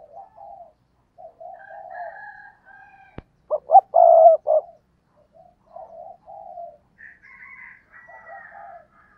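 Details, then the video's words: Spotted dove used as a decoy. Gentle repeated low coos surround one loud burst of quick stuttering notes ending in a long coarse coo. There is a sharp click just before the burst and faint higher notes near the end. "chim cu gáy mồi cây"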